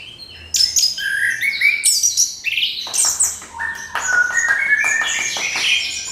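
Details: Orange-headed thrush song used as a lure to provoke other birds into singing: a crystal-clear, fast run of varied whistles and high chirps, sliding notes mixed with sharp ticking bursts, with no pause.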